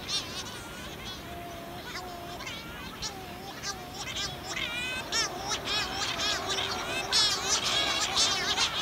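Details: At night on Pico Island in 2019, Cory's shearwaters arrive at their dense breeding ground after fishing at sea to relieve mates on the single egg. Females drone low and males call higher and plaintively. Rising and falling wailing calls repeat rapidly and overlap throughout.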